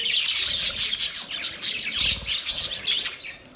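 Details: Budgies keep up a steady, dense warble of high twittering and raspy chirps, with a short low bump near the middle of the clip.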